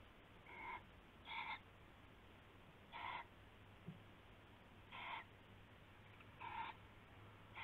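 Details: At night in February 2016, an owl gives rasping, breathy screeches while a rabbit is handed over as prey. There are six separate bursts, each under half a second, spaced one to two seconds apart over a constant low background hum.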